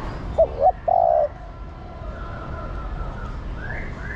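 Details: Spotted dove hen calling the male: two brief notes followed at once by a longer, slightly falling coo, then quiet with faint distant bird whistles.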